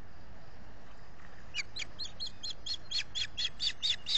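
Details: At a Finger Lakes nest at Salt Point, US, an osprey calls for fish on 18 June 2021, recorded by a solar nest camera: after a quiet start, a run of about a dozen piercing whistled chirps, growing louder toward the end.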